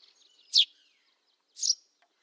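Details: Wild Eurasian tree sparrow giving two separate high chirps about a second apart, the second slightly softer and flatter, over a faint background twitter.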